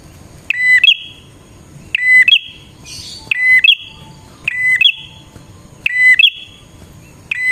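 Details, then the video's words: Bar-winged prinia in full song, used as lure sound: five or six crisp phrases of clipped notes and a level buzzy whistle, repeating steadily about every second and a half, with a brief soft hiss. "suara burung prenjak gacor"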